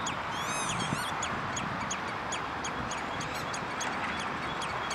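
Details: Redshank filmed 11 June 2013 at De Wollebrand, Naaldwijk, Netherlands: an arched, ringing call opens, then rhythmic sharp downward 'tew' notes continue steadily against a constant rushing background.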